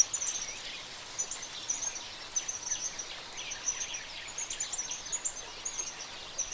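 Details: Oriole finch (Linurgus olivaceus), song.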